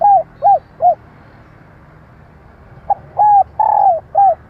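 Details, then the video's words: Female spotted dove cooing as a lure for males: three short rounded coos, then a pause, then a further run of four coos, one of them longer. The notes are low and mellow, with quiet background. "Kích bổi - tập mồi nhanh nổi Hiệu Quả bằng tiếng chim cu gáy mái / Tiếng cu gáy mái"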